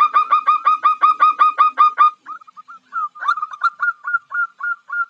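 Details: Calling female perkutut, the zebra dove (Geopelia striata), luring a male: a rapid burst of repeated harsh-edged cooing notes for two seconds, a brief gap, then a slower string of lighter, slightly higher notes.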